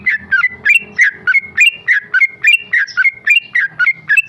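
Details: Tame male Sooty-headed bulbul (trucuk) singing in ropel style, a rapid nonstop delivery: short whistled, bubbly phrases rising and dipping, repeated about three times a second without pause, with faint low background rumble.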